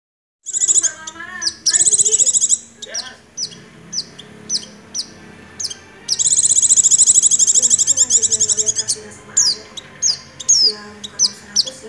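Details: Oriental white-eye in vigorous song, 'nagen ngecrok' style, filled with imitations of white-rumped shama: high, rapid buzzy trills alternate with sharp down-slurred whistles, ending in a run of short staccato notes.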